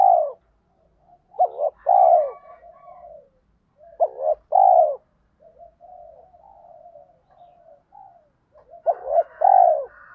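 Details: Lure spotted dove in the 'thổ pha' style, cooing fast 'thúc gù' like a sewing machine to stir wild birds into cooing. Three double-hoot-and-long-coo phrases a few seconds apart, with soft continuous murmuring between them.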